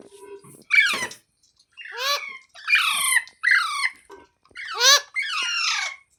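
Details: Parrot voice heard as a string of six gravelly, descending screeches, each about half a second, separated by brief gaps, with faint low background rumble at the start.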